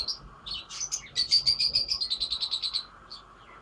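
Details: Lovebirds singing: a few high squeaks, then a rapid, even series of about fifteen sharp, shrill chirps in under two seconds, fading back to isolated squeaks.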